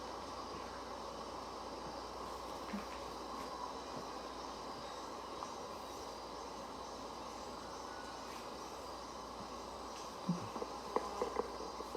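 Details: A steady rumbling hiss like a moving train or vehicle, with a few faint knocks near the end and no animal voice.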